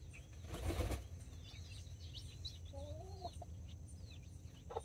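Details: Nine chicks, four mini chickens and five Brahma babies, with two mother hens in a backyard flock: thin, high, down-slurred peeps scattered throughout, a brief wing flap near the start and lower whistled notes midway.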